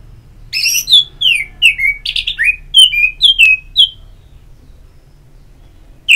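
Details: Orange-headed thrush singing, offered as therapy audio meant to encourage a bird to sing: a quick series of about twelve loud whistled phrases, many slurring downward, over three seconds, then near silence.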